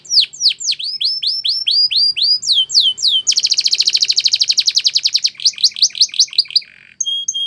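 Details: Belgian canary singing a training song: a run of high falling whistled slurs, then a dense fast buzzy trill lasting two seconds, more downslurred notes and a few clipped high tones at the end.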